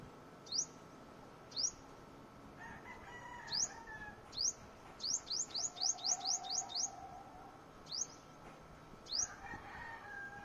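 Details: Luzon sunbird calling with thin, high, upward-sweeping notes, first spaced about a second apart, then a quick run of about seven, then spaced out again; faint lower bird sounds in the background.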